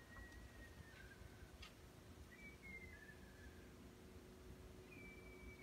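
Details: Black kites (Milvus migrans) call while flying high over a garden: thin, drawn-out whistles, each dropping slightly in pitch, repeated every second or two, faint over a steady low rumble.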